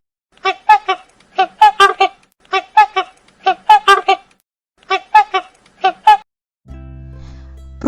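A swan gives nasal, trumpeting honks in quick pairs and triplets, about one burst a second, before music starts at the end.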